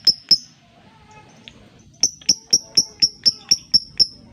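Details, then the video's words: Lovebird lure for making silent lovebirds sing: two sharp ticks, a quiet gap, then a steady burst of high clicking ticks, about four per second, crisp and regular. "Pancingan Lobebird cepat/jitu burung Lovebird diam biasa gacor denggar suara ini"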